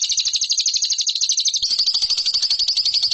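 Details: Training song of a competition lovebird: a rapid, unbroken high chatter of closely packed notes that shifts partway through into a smoother, faster trill.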